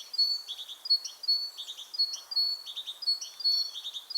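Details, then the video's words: Great tit delivering a fast, busy song: a high sharp note followed by a quick buzzy triple, repeated over and over at a brisk pace. "Canto Del Carbonero Común Audio Del Carbonero Sonido Del Carbonero"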